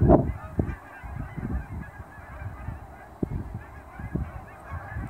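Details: Canada geese in fall, hundreds heading from ponds to grain fields for food just after sunrise near Dawson Creek airport; a loud honk opens, then scattered sharp honks over a constant murmur of distant flock calls.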